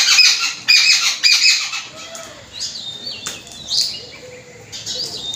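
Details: Mynas guarding snacks and not letting babblers feed, while the excluded babblers scream: harsh, scratchy squawks burst out in the opening two seconds, then give way to sharp whistled notes and chirps from several birds.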